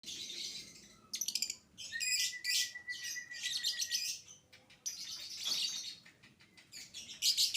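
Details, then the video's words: Young lovebird singing in the 'biola' (violin) style, a lure to set other lovebirds singing: bursts of harsh, buzzy high chatter broken by rapid clicking, with a thin steady whistle held underneath around the middle. "PANCINGAN LOVE BIRD PAUD GACOR DORRR !!! JENIS BIOLA ANTI SARDOT"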